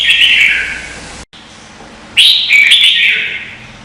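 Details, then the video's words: Red-whiskered bulbul singing in contest, Vietnam, used as decoy song: a falling warbled phrase, a brief silence, then a louder bright trilling phrase wavering downward. "Chào mào hót đấu hay nhất việt nam"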